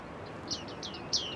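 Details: Bearded tits calling in early autumn at Newport Wetlands, where large flocks gather; three descending, slightly nasal pings, the last loudest, over a faint background hiss.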